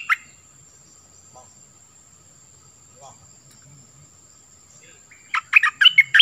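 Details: Cream-vented bulbul used as a decoy: one short warbled note opens, long near-silence follows with faint low sounds, then a lively closing run of quick, gurgling notes.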